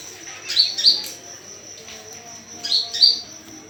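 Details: Lure call of an olive-backed sunbird: crisp, high chirped doublets in two bursts about two seconds apart, each quick and piercing, over a steady high whine.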